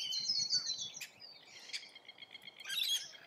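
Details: Feeding rainbow lorikeets in Australia give a chorus of shrill, grating screeches and chattering chirps, overlapping calls with no steady rhythm.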